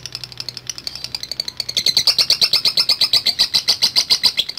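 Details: Lovebird chattering in long ngekek style, a rapid run of high notes starting softly and rising to a loud, steady, shrill rattle that keeps going evenly to the end, with a faint low hum at the start.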